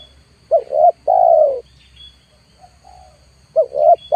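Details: Spotted dove calling as a lure for wild birds: two short rising notes, then a long level coo, the phrase beginning again after a pause, over a faint steady high-pitched whine.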